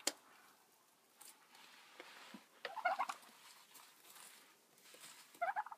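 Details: Turkey calling in the morning: two short rattling gobbles, one near the middle and one near the end, over quiet background with scattered soft knocks and rustles.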